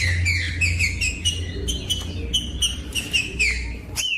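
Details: Green-winged saltator song meant to warm up and motivate other saltators to sing: a run of rich whistled notes, sliding and steady, delivered almost without pause over a low background rumble.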